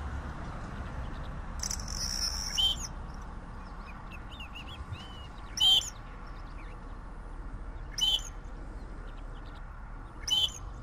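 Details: Great grey shrike (identified by the uploader as southern grey shrike, Lanius meridionalis) song: short, harsh, scratchy phrases with a clear high note, repeated every two to three seconds over a steady low rumble.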